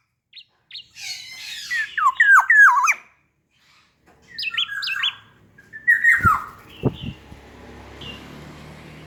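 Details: Hand-reared pet black-naped oriole singing loudly and variedly: two bursts of rich, swooping whistled notes, then rustling and knocking sounds near the end.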